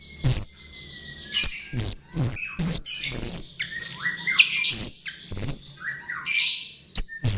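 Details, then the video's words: Chestnut-tailed starling lure recording: harsh squawks and high buzzy chatter alternating with whistled slurs, punctuated by repeated loud knocking clicks. "Pancingan Jalak RIO RIO"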